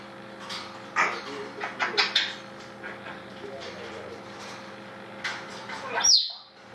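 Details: Female grey parrot speaking her first words, such as 'носик' (little nose): short voiced, speech-like syllables near the start, then a sharp high whistled chirp near the end, mixed with a woman's coaxing speech and a steady low hum.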